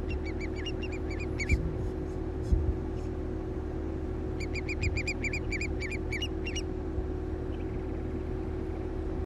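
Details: Long-billed curlew at the Finnegan Ferry, Alberta, 4:24 pm on 9 July 2023, giving two bursts of quick, clear, rising whistled notes, several per second, over a steady low rumble of engine or wind noise.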